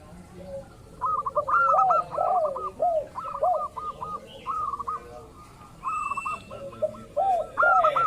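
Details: Local zebra dove sounding as a lure for other cooing birds: clusters of high clipped notes over curved lower coos, repeated in bursts with short pauses.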